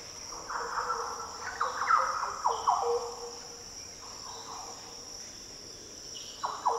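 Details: Deep, liquid song of Green Orioles in Australia's Daintree rainforest: a burst of rich, gliding, fluty notes in quick succession, then quieter phrases and a final slurred note, over a continuous insect drone.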